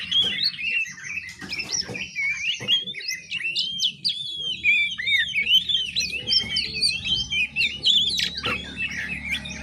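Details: Young oriental magpie-robin (anak kacer) learning to sing, its ngiriwik practice: a continuous rambling warble of twisting, scratchy whistled notes with no set phrase, over a low background hum.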